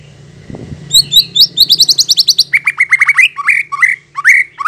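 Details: White-rumped shama song used as a lure so caged or wild shamas answer: a quickening series of high chipping notes, then loud rich downslurred whistles repeated in rapid succession.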